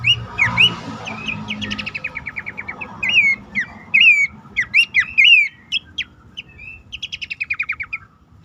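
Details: Lure call of a bush warbler, meant to prompt caged birds that rarely sing. Opens with rapid ticking, then clear falling and rising whistles come one after another, ending in quick buzzy stuttered series over faint background noise.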